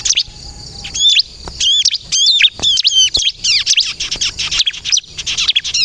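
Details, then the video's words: Bar-winged prinia of the crystal type, singing to draw in and provoke other prinias: after a quiet start, repeated arched whistles and quick high chirps come in short bursts, broken by brief pauses. "suara burung ciblek kristal gacor untuk pikat dan pancingan ciblek bahan agar bunyi nyaut"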